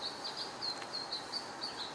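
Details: A house finch gives a steady series of short, high, slightly slurred chirps, about four each second, over a soft outdoor hiss. The observer doubts it is a song and thinks it may be an alert sound.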